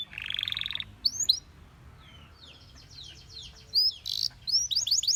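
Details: Belgian canary song among many canaries: a buzzy trill, a quieter stretch with faint distant notes, then bright rising and falling swoops that grow louder toward the end.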